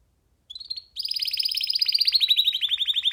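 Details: Young free canary perched on a hand gives a brief whistle, then a rapid, continuous rattling trill of high notes, slightly falling over three seconds.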